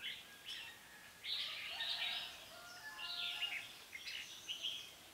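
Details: Trapping session on 5 September 2017 with a decoy red-whiskered bulbul singing competitively to lure wild birds; after a brief opening note, rich warbled phrases come in two main bursts, with softer low tones beneath.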